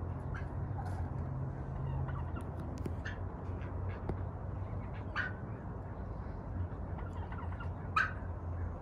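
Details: A turkey hen calls to her mate on a chilly autumn morning in the 40s °F, giving short, scattered calls over a steady low engine-like hum, with a louder sharp note near the end.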